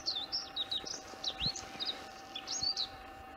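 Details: Bluethroat singing on 4 April 2021, soon after its return in late March or early April. Quick, varied high notes that twist up and down, with scratchy bits and pauses, over a steady faint hum.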